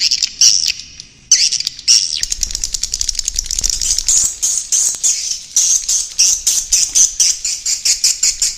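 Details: Swiftlet calls played to attract swiftlets to roost: high, rasping chirps repeated in steady pulses roughly four per second, dense and buzzy throughout.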